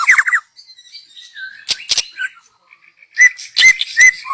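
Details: Young wild white-rumped shama from the forest, its song used as a lure: a fast run of rising whistled notes, then scattered warbled phrases and sharp loud chips repeated near the end.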